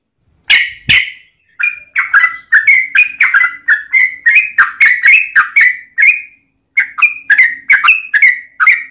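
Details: Yellow-vented bulbul in long rapid 'ropel panjang' fighting song, used as a lure to make other bulbuls sing. After two loud opening notes comes a dense run of bubbly, gurgling whistled phrases, about two per second. A brief pause falls near six seconds.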